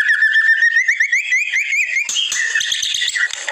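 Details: Masteran training recording of white-rumped shama song: a fast trill of repeated rising whistled slurs, roughly four per second, followed by a burst of buzzy, harsh chattering.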